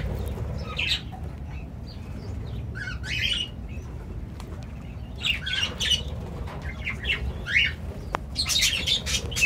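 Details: Cockatiels in an aviary, a grey male and a yellow one, give scratchy chirps and short squawks in irregular bursts over a low background rumble.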